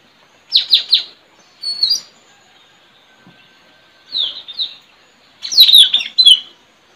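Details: Trained decoy Straw-headed Bulbul, known locally as puling, used to call wild birds, village home, 4 April 2021; spaced groups of two to three sharply descending whistles, ending in a louder tumbling flourish.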